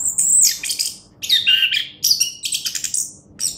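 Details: Orange-headed thrush, a competition-grade songbird, pouring out very high, shrill, buzzy phrases mixed with downward-slurred whistles, in short bursts separated by brief gaps.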